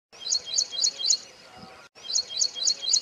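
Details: Ashy prinia in Rajasthan, India. High, sharp chirps repeat rapidly and evenly, about four per second, in two runs separated by a brief break, over a faint background hum.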